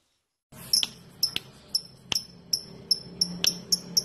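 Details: Lovebird ticking (ngetik) used as a lure to make other lovebirds sing: sharp, high, clipped chirps with a quick downward flick, spaced about half a second apart, over a soft low hum.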